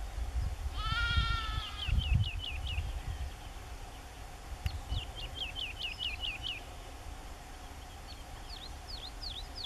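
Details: Woodlark singing on 31 March 2016 at Aekingerzand (Kale Duinen), Drents-Friese Wold: several short phrases of quick, repeated fluty notes, with one bleat near the start and low rumbling background noise.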